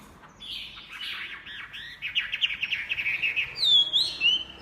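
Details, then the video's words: Chinese hwamei pouring out a rapid jumbled warble that builds in loudness, ending with a few clear upward-sweeping whistles. "SUPER GACOR MANTAP SUARA KICAUANYA//Burung Hwamei"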